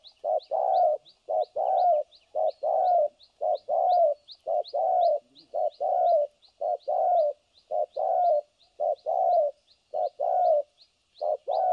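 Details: Spotted dove decoy for trapping, cooing without pause in the thổ cấn sấm nước style: a long series of short-long coo pairs, roughly one per second, with rhythmic faint high ticks throughout.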